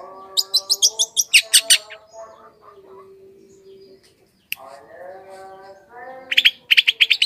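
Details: Long-tailed shrike song used to attract wild birds: a quick burst of harsh chirps, a quieter gap with soft low whistled tones and one click, then another fast rasping chirp series.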